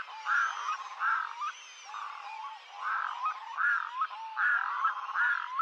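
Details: Red-throated diver uttering a rhythmic series of short, throaty croaking notes, about one every three-quarters of a second, steady in pitch with slight rises at the ends, heard clearly over a quiet background.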